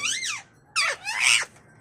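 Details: Pet imported Indian ringneck (rose-ringed) parakeet indoors giving three harsh, raspy squawks in quick succession, each sliding downward in pitch, in a quiet room.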